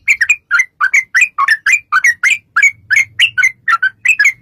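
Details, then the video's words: Yellow-vented bulbul in long 'ropel' song used as a lure for replying birds: an unbroken run of rapid, liquid, slurred notes, each dipping then rising, repeated several times a second, with a faint low hum partway. "trucukan gacor TARUNG ROPEL PANJANG pancingan trucukan agar bunyi jadikan burung trucuk gacor NYAUT"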